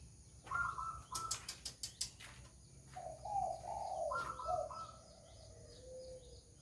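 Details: Orange-headed thrush song played to lure birds: a burst of sharp clicks, then mellow whistled phrases that step down in pitch and rise again, ending with a soft, low drawn-out note over background hum.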